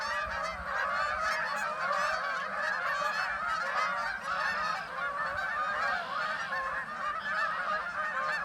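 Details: Many geese along a nature trail giving a constant chorus of overlapping honks, loud and unbroken throughout.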